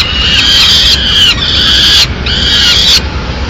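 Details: Begging peregrine falcon nestlings, Madrid, mid-morning, calling hard while the female delivers a small bird and starts leaving part of the prey for them to feed themselves; three long, strained, wailing screams, each about a second, over constant noise.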